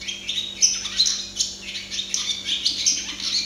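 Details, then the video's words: Close view of a singing barn swallow (Hirundo rustica): steady, fast twittering warble of sharp high chirps and buzzy trills, notes tumbling several per second. "Canto de golodrina - Song of barn swallow - Canto da andorinha-das-chaminés"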